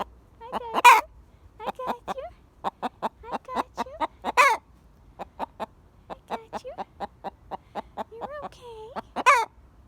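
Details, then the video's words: Golden-yellow Buff Orpington pet hen still alarmed after the flock was frightened and something was chased away: a long string of clipped, repeated clucks with a few drawn-out tonal notes and several harsh, loud squawks. "Buff Orpington Pet Hen Sounds Alarm"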